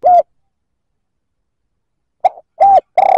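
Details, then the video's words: Cooing of a spotted dove used to provoke other males: a single short coo, a long silence, then a soft note and a clipped coo before a third coo begins as it cuts off. "Tiếng chim cu gáy kích bổi chuẩn"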